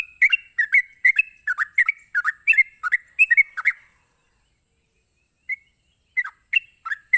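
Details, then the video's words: Rapid 'ropelan' song of a sooty-headed bulbul, used to lure rival bulbuls into replying: quick chattering burbled notes for four seconds, a pause, then a few scattered notes, with a constant thin high hiss behind. "Cukup Sekali Pancing Trucuk apapun bakal Nyaut ngropel Emosi dengan suara Ropelan Trucuk ini"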